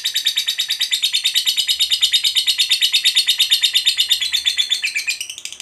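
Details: Lovebird of fighter type giving its long ngekek chatter, used to provoke listening lovebirds into singing: a shrill, buzzy stream of rapid notes, about three per second, unbroken for over five seconds, dipping lower and fading at the end.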